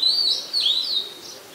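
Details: Whistled song of an Oriental magpie-robin in Ubon Ratchathani, Thailand, 20 September 2022, a very common resident; loud, clear notes swoop up and down in quick succession for about a second, then fade.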